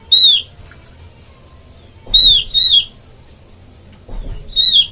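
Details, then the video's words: Oriental white-eye call played to lure birds into traps: a single harsh, falling note, then a quick pair, then a final falling note, each short and rich. A low thump is heard between them. "suara pikat burung opior"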